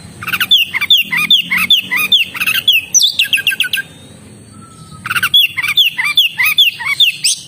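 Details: Oriental magpie-robin in full song: fast repeated bursts of sweet whistled notes mixed with harsher chattering, roughly two notes per second, broken by a brief pause before the lively sequence resumes, with a faint steady high tone behind.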